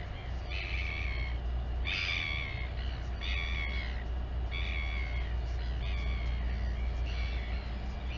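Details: Royal albatross mother feeds her chick at Taiaroa Head near Dunedin, New Zealand, seen on a live cam; a run of harmonic, whining squeals in short bursts roughly every second, set against strong low wind noise.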